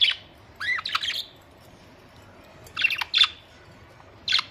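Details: Pet budgerigars, colourful birds at home: bright, harsh squawks and chirps in short bursts of two or three, with pauses of about a second or more between groups.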